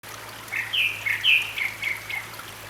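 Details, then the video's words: Grey-backed thrush singing in a valley near Sinwonsa Temple on Gyeryongsan Mountain, Republic of Korea, recorded 6 May 2022: a run of short slurred whistled notes, some rising and some falling, over a steady murmur of running stream water. "되지빠귀 울음소리, 계곡물소리 Grey-backed Thrush singing, Sound of water in the valley"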